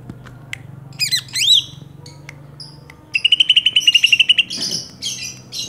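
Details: Greater green leafbird song, fighting-style Banyuwangi and Kalimantan birds: quick sweeping whistles and buzzy notes, then a fast, even run of about ten sharp chips a second before harsher rasping phrases; faint low hum behind.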